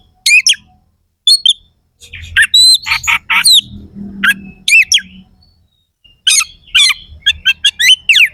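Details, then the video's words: Oriental magpie-robin, a competition kacer, delivering rough fill-in song to agitate other kacer: scattered loud whistled swoops and harsh chattering strokes separated by pauses, faint low hum beneath. "Suara kacer gacor NEMBAK ISIAN KASAR"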